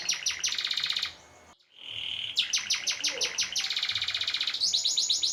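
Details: Canary singing a long rolling song for training other birds and contests: rapid repeated high trills, a brief pause, a steady whistled note, then dense buzzy rolls ending in quick sharp repeated notes.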